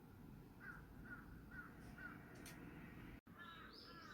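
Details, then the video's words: Crow heard on 18 August 2022 at about 5:10 PM, giving four evenly spaced hoarse caws roughly every half second, then a brief high chirping from another bird over low background rumble. "까마귀 소리"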